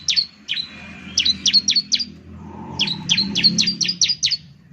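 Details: Gacor ciblek lure song: sharp, high chirps with falling tails, first spaced out, then a quick run of about eight, over low rumbling background.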